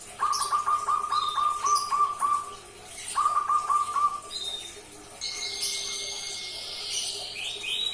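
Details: Young local barred dove, hand-reared from about three weeks old and now about two months, kept by a person, practising its voice: rapid series of short soft rising notes in two bursts, followed by a higher whistled band.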